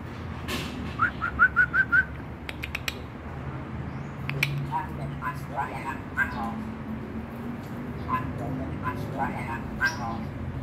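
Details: Male Bali myna gives a quick run of six short rising whistled chirps, then scattered harsh notes and sharp clicks over a low background hum; finding: Bali myna.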